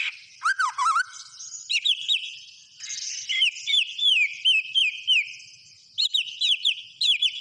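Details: Lively white-rumped shama song: low looping whistles at first, then a run of high, evenly spaced slurred notes, a pause and a closing burst of quick bright phrases.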